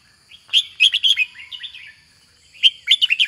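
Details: Kept red-whiskered bulbul delivering two loud bursts of rapid, rich whistled and slurred notes, each phrase a tumbling run of short syllables, separated by a quiet gap, with a faint constant high hum behind.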